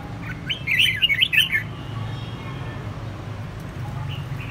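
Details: Red-whiskered bulbul, an escaped bird vigorously countersinging with a household bulbul, delivering one quick chirpy warbled phrase of about a second, then faint notes amid a steady low hum.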